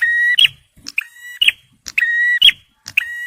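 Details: A male bar-winged prinia sings for luring and prompting stressed birds: a long, even buzzing note broken by a sharp click, then short chips, the pattern repeating twice in quick succession.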